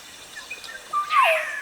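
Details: Western Black-headed Oriole (Oriolus brachyrynchus), an African oriole, gives a single fluty, whistled note that slurs downward into a harsher, buzzy ending, over faint background hiss.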